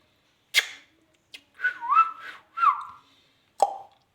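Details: Pet ringneck parrot talking in a room, producing a quick click, then slurred whistly word-like phrases rising and falling, followed by a single short squawk.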